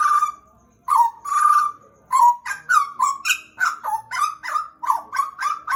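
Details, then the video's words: Pet Pied butcherbird from Papua, Indonesia, kept caged for about two years. After a long drawn whistle and a short gap comes a rapid run of clear, mellow notes, many with quick downward flicks and rising slurs. "JAGAL PAPUA GACOR"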